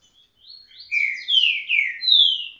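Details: A caged green-winged saltator singing outdoors gives a short phrase: a few soft notes, then four loud, rich whistles, each slurring downward, over about two seconds.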